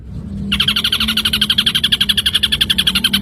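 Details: Ashy drongo song as a training recording for songbirds: a continuous harsh, buzzy trill of rapid even pulses, about seven per second, sustained for nearly three seconds over a faint low hum.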